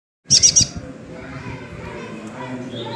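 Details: Tame brown-breasted ninja sunbird, kept as a lively singer, gives three quick high thin chirps in a burst at the start, followed by a low murmur of background noise.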